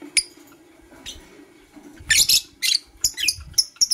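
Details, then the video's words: Lovebirds of Blue Opaline and Parblue Euwing Opaline colour varieties chirping in the morning: a harsh, buzzy high chirp, a pause, then a quick cluster of rasping squeaky notes and short sharp tweets in the final two seconds. "Lovebird Chirping Sounds"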